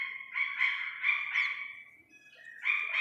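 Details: Iranian partridge chick calling steadily: a sustained chain of rich, buzzy harmonic syllables lasting over a second, a fading softer tail, then a fresh loud burst at the end.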